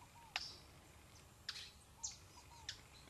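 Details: Orinoco spinetail on river islands near Puerto Ayacucho, Venezuela/Colombia: sharp, high, clipped notes about every half second, fairly faint, with soft low curving whistles from another caller between them over quiet background hiss.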